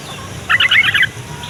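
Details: Yellow-vented bulbul song meant to prompt young, lazy or flock bulbuls to call back: a single loud, fast, bubbly jumble of chirps lasting about half a second.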